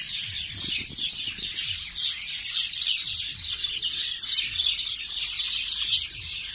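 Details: Birds calling in Nondibari, Bangladesh: a dense, continuous chorus of high chirps and twitters from several birds at once, with faint low thumps underneath.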